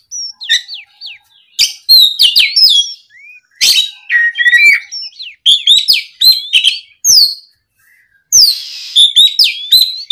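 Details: Oriental magpie-robin in vigorous song after hearing a rival, pouring out many short whistled slurs, sharp chips and scratchy notes in dense bursts, a brief pause before resuming.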